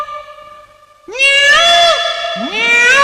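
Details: Cat-like peacock calls: a fading harmonic cry is followed by two loud, nasal wails, each sliding upward at the start and sustained, the second beginning just after the first breaks off.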